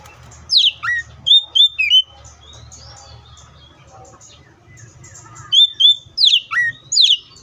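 Oriental magpie-robin singing bursts of clear, varied whistles and sharp swooping notes, with a quieter middle pause before another lively phrase; faint low hum behind.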